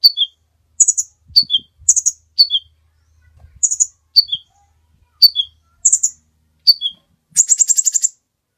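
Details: Brown-throated sunbird (kolibri ninja) singing steadily as a lure and master recording: repeated high chirps and downward two-note slurs, closing with a fast, rattling trill, with faint low knocks in places.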